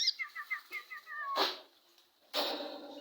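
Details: White-rumped shama song played to provoke another shama into singing: a quick run of short doubled notes dropping slightly in pitch, followed by harsh, noisy bursts like flapping or rustling.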